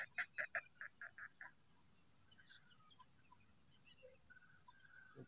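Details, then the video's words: Black francolin giving a harsh call series: four quick rasping notes, then four slightly slower ones, fading out after about one and a half seconds, with faint distant bird notes and low background noise afterwards. "کالے تیتر کی آواز کترناک"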